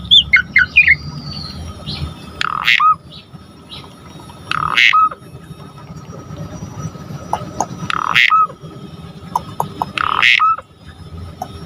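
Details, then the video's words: Asian pied starling (jalak suren) singing lively and fully to provoke other starlings: opening chattering notes, then scattered harsh rasping bursts ending in short whistled slurs, spaced about two to three seconds apart, over a steady low hum. "Pancingan Jalak Suren GACOR Full Isian Bikin Tambah Emosi Burung Jalak Agar Lain Tambah Gacor Full"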